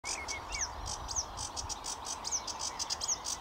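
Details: A sedge warbler at Watermead Country Park on 8 May 2022 sings a fast, chattering song of harsh rasping notes at about six per second, mixed with sweeter whistled and down-slurred phrases.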